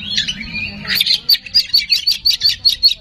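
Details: Oriental magpie-robin singing as a provoking lure: a brief jumble of chirps, then a fast series of about ten sharp, clipped, high notes, repeated several times a second, with low background hum.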